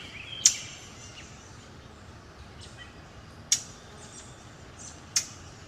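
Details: Three loud, sharp kissing snaps from a Brown Thrasher, spaced a few seconds apart, with faint chirps from other birds behind; an alarm note that usually means a nest or predator is near.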